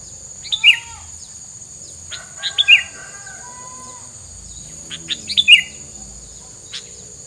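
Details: Repeated bird chirps: three bursts of sharp high twittering notes, each ending in a bright emphatic note, spaced roughly two seconds apart, with quieter chips between them and a steady hiss.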